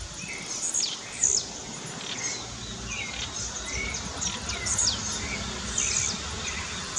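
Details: Blue-black grassquit (Volatinia jacarina) singing in the wild bush during a dispute between rivals: short, sharp high buzzy notes with quick downward sweeps, repeated every second or so, over steady insect hum and other birds' lower chirps.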